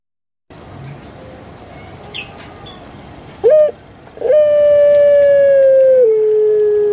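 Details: After a quiet start, a pet puter pelung dove from Java gives a short rising note, then a long sustained clear tone lasting over two seconds that steps down in pitch near the end.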